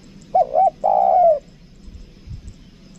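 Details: Spotted dove lure bird, 'kuk dua' two-note type, Lombok: a single phrase of two short hollow notes then one long, slightly falling coo, followed by quiet background.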